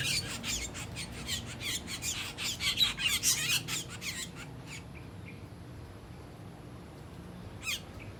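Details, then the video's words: Asian glossy starlings feeding on ripe papaya, giving a rapid run of harsh, high squawking chirps for about four seconds, then quieter with a single sharp call near the end. "Asian Glossy Sterling Birds Making Noises while Feasting on Ripe Papaya Fruit"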